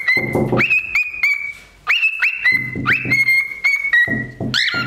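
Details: Pet parrot indoors imitating chicken sounds after hearing a knock on the door, peering under the door. Clear whistled notes, each sliding sharply upward and then holding level, repeated about twice a second, with low thumping noises between some notes.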